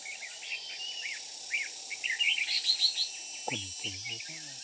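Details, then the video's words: Red-whiskered bulbul singing in the chattering ché style during trapping with a decoy bird, recorded 13 May 2019: quick, slurred, warbling phrases, with a short run of bright high notes from another bird and a low, harsh, harmonic burst near the end. "Bẫy chào Mào Ché như cái máy"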